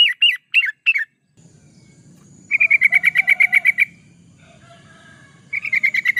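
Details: Yellow-vented bulbul, a lure or master recording for training birds: three quick downslurred notes, a pause with a low rumble, then a fast rattling series of bright chirps and another burst at the end.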